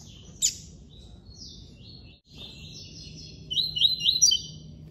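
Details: Song of a Double-collared seedeater (coleiro) from an amateur breeder, in the classic style: a single sharp chip, a faint high buzzy phrase, then a brief lively burst of quick, high, chattering notes at the end.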